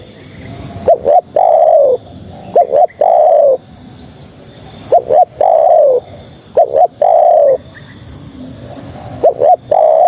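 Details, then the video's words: Female spotted dove calling to males: soft, low cooing phrases, each of two or three short notes leading into a longer drawn coo, repeated about every two seconds with quiet gaps between. "Suara Terkukur Betina Memanggil Jantan"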